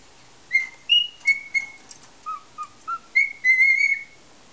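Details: A contented cockatiel taught "Que Sera Sera" lies showing its belly while whistling a tune of about nine clear notes. They start high, dip lower in the middle, then rise into a longer warbled phrase.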